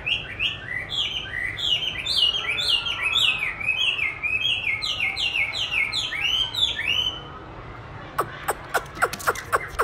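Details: Chinese hwamei in training, sung to with a recording of its own voice; a long run of rapid, repeated downslurred whistles in a steady series, then a break followed by several sharp clicking notes.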